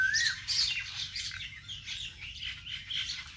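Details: A short stretch of natural bird sound in a vegetable garden, opening with a rising whistle followed by steady, overlapping high twittering chirps.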